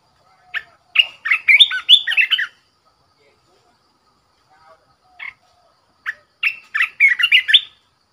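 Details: Red-whiskered bulbul decoy bird in a cage, giving two lively warbled phrases of rapid slurred, whistled notes about four seconds apart, with a short single note between them. The background is quiet.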